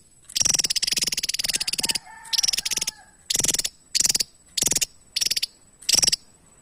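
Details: A Javan tesia gives a long stream of rapid, very high pulsed notes. Shorter crisp bursts follow at fairly even intervals, with a faint soft whistle heard once between phrases.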